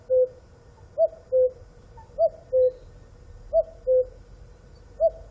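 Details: Cuckoo calling a clear two-note hooted cu-coo, the second note lower, repeated about every 1.3 seconds for four phrases over a quiet low hum.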